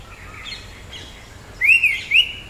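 Orange-headed Thrush giving two clear, high, arched notes close together, after a few faint thin notes, over a light background hiss.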